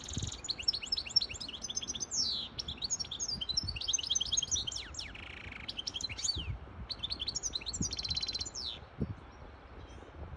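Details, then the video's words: Continuous bright twittering from a hybrid European goldfinch, singing to tutor young birds and excite a female into mating posture: fast high chirps, down-slurred whistles and a short buzzy note, nearly unbroken, with soft low thuds beneath. "تغريد طائر هجين الحسون لتسميع الفراخ و لتهييج انتى الحسون واخد وضعية التلقيح"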